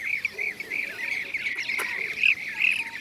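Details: From Şanlıurfa, Turkey, in 2016, blue-cheeked bee-eaters give short, curved, rolling calls in quick succession, a couple of louder, clearer notes standing out near the end, with a brief click midway.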